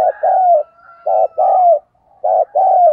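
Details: Decoy spotted dove cooing in the morning to attract wild doves: three pairs of mellow low coos, a short note followed by a longer falling one, with quiet pauses between pairs.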